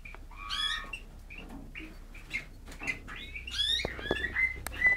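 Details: A brown pastel male Eurasian bullfinch sings a soft, varied string of piping whistles and creaky, wavering notes, with short twitters in between and a faint low hum behind.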